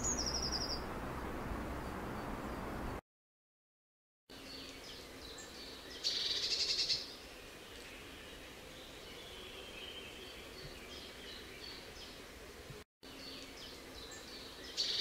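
Eurasian blue tit giving thin, very high notes followed by a brief, fast trill, in short bursts separated by steady background hiss.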